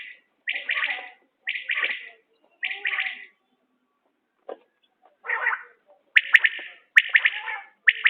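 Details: Common quail, linked to quail hunting, giving a series of sharp, rapid pulsed phrases roughly once a second. A quiet gap in the middle holds a single click, then the calls resume louder and closer together.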